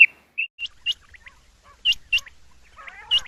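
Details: Female quail (batair) heard at night: a few sharp, high whistled notes, some in quick pairs, spaced irregularly with short silences and faint lower chattering near the end.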